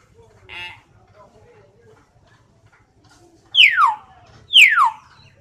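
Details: Common hill myna giving loud, sharp whistles: two strong descending whistled notes about one second apart, each sweeping down steeply, after a faint earlier note and soft background murmur.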